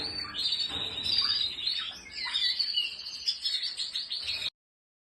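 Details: Spanish Timbrado canary, red, singing a continuous, rich song of rapid rolling trills and high chirping notes with short bursts of descending slurs, steady for about four and a half seconds before stopping abruptly.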